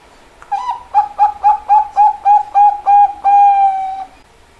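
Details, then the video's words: Zebra dove with a sharp voice: a brief rising opening note, then about eight short, evenly spaced coos, ending in a longer sustained note, all at a steady mid pitch, clear and close. "burung perkutut suara tajam"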